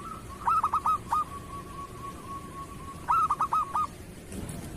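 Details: Zebra dove of local stock in kerot style, a master song for teaching other doves. Two bursts of staccato hooting notes are separated by a long, even, purring trill. Faint low background noise.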